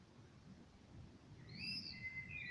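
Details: A common blackbird singing in the evening: a brief phrase of clear, high whistled notes with a squeaky edge, after about a second and a half of low rumble.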